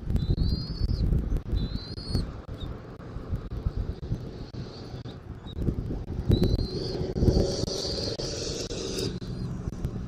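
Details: Bald eagle at a Southwest Florida eagle camera, 13 January 2024, early afternoon: three high, thin whistled notes in the first seven seconds, then a rushing burst of wind noise with low rumble throughout.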